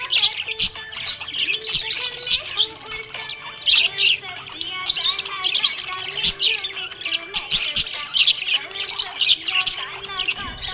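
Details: Happy budgie chirping in a continuous, lively warble of rapid chirps, clicks and squeaky notes. Music plays softly underneath.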